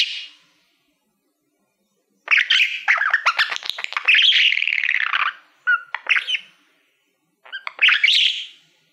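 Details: Pet budgerigar singing to a shiny silver plaque: a soft note, a silent gap of over a second, then a long chattering phrase of clicks and squeaky whistles, followed by two short bursts.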